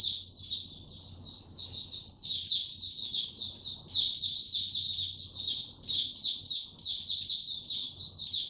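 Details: On 29 April 2022, a caged white-eye given no health supplements, in power down mode, sings a steady high-pitched chattering song of quick slurred notes over a soft, low background hum.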